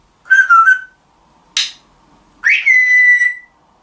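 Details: African grey parrot giving three calls: a clear whistle that wavers and dips, a short harsh noisy burst, then a longer rising whistle that levels into a steady held tone, in otherwise quiet surroundings.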